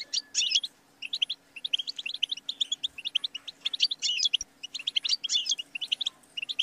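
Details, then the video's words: Goldfinch singing a rich, scratchy twitter, with loud buzzy bursts at the start and near the end and steady high chirping between. A couple of faint knocks sound in the background. "The Motivating Anthem of the Goldfinch Bird"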